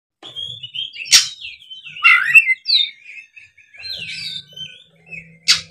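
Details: Oriental magpie-robin in fighting mode, its song used as a lure to set idle magpie-robins singing. Sparse high whistled and slurred phrases separated by short gaps, with sharp scratchy bursts, plus a faint low hum.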